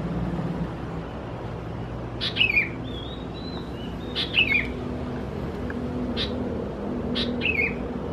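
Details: Young Sooty-headed Bulbuls of the subspecies thais at Khao Yoi, Phetchaburi, Thailand, in June, giving short harsh descending chirps with a noisy onset, in bursts about every two seconds over low background hum.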